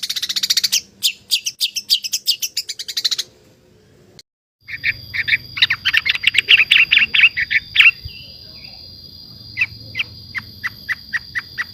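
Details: Javan long-tailed shrike singing: a fast run of high sharp ticking notes, a brief pause, then rapid chattering phrases and evenly spaced short notes, with a steady high electronic whine underneath.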